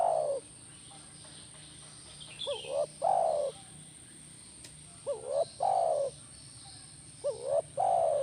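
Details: Spotted dove call used to get a caged spotted dove to reply: after the tail of one coo come three phrases, each two short, rising notes followed by a long, sliding, descending coo, with a constant faint high hiss.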